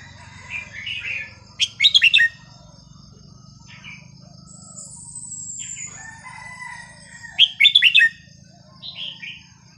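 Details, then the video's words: Red-whiskered bulbul song for teaching young birds: two bursts of quick warbled, chortling notes about six seconds apart, separated by softer whistles, over a steady low hum. "นกกรงหัวจุกสำนวนเพราะๆ ร้อง เพลงไม่ซ้ำกัน เปิดสอนลูกนก"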